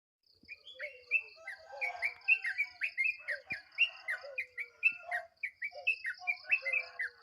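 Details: Sooty-headed bulbul giving a dawn alarm: a busy run of short bright notes, many sliding down or up, repeated several times a second, over a steady thin pulsing buzz in the background.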